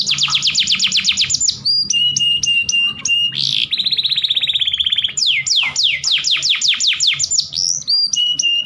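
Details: Kenari breeding-lure song for stimulating males: rapid tours of falling sweeps, short staccato notes, a buzzy rolling trill, then further fast sweep sequences.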